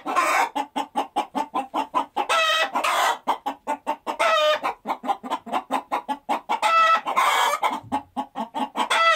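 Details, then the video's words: Hens clucking in a fast, regular series of short pulsed notes, about three per second, broken by longer, rising cackles from several birds. "SOM DE GALINHA"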